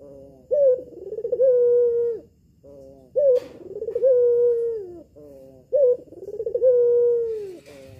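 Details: Female red-eyed albino collared dove in a home, whose voice is used to lure males into answering. Repeated phrases of a short upward note and a prolonged vibrating coo, three in a row, with a faint click between them.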